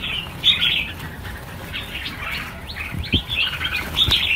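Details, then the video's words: Red-whiskered bulbuls set free in a mass release of 1000 birds give bright clustered chirps and twittering phrases, with wingbeat thumps late in the burst. "Phóng sinh 1000 con chim chào mào - chào mào căng lửa"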